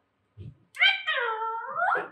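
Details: Pet Alexandrine parakeets kept indoors during speech training, taught to say "Jai Shri Ram" and "Mithu Bete"; a short quiet thump, then one loud harmonic, voice-like utterance lasting over a second that ends rising sharply.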